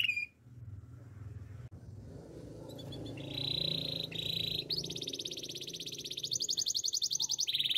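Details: Canary training song starting over a low steady rumble, then sustained high rolling trills that shift to new pitches every second or so, ending in a loud rapid pulsed trill.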